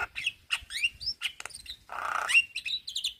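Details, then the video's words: Varied song of a male Javan myna calling young companions, with looping whistles, sharp clicks, a broad harsh rasping burst and bright rising whistled notes. "Kicauan Jalak Kebo Jantan Memanggil Kawan Jalak Kebo Muda"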